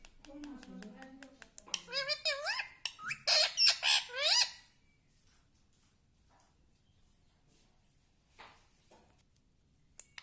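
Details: Parrot kept as a pet talking in a rapid burst of shrill, wavering, harmonic syllables lasting about three seconds, followed by near silence with faint clicks.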